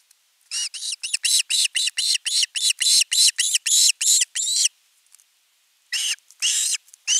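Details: At a nest camera in Finland on 10 August 2021, an osprey calls long for fish. A fast train of about a dozen harsh, piercing screams, roughly three per second, pauses briefly, then resumes with more screeching notes.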